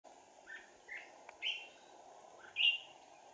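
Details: Red-whiskered bulbul used as a decoy for trapping, recorded 4 April 2019: sparse short whistled phrases, a few rising and falling notes spaced about a second apart over steady background hiss.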